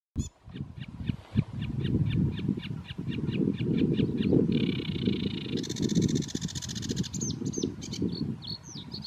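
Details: Sedge Warbler singing in Biebrza National Park, Poland, on 15 May 2015: a run of rapid repeated dry ticks, then a buzzy churring stretch and a harsh rasping burst, ending with short slurred whistles, over strong low wind rumble.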